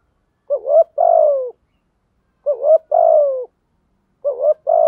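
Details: Spotted dove calls from male and female birds, meant for training and luring: a repeated phrase of two short rising notes followed by a long, slightly falling coo, recurring about every two seconds.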